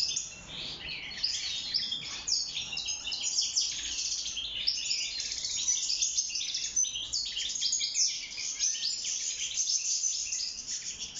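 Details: European goldfinch, locally called mqnin, caught wild and caged, singing for mating and nest building; a long unbroken run of high, rapid, jingling twitters with buzzy trills and sharp chirps.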